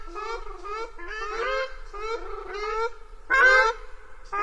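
Ruddy shelduck giving loud, nasal, goose-like honks, about six in quick succession, each drawn out and slightly rising, with a harsher, louder note near the end.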